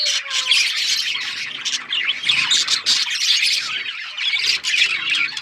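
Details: A flock of budgies chatters nonstop, a bright tangle of warbling chirps and harsh squawks layered over each other with barely a pause.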